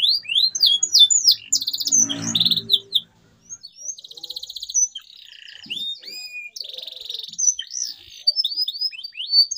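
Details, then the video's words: Continuous canary song to coax mute birds back into singing: rapid varied whistled sweeps and buzzy trills, roughly three phrases a second, with a brief lower noisy burst near the start. "CUITAN KENARI 100% GACOR PERANGSANG KENARI BISU AGAR KEMBALI GACOR"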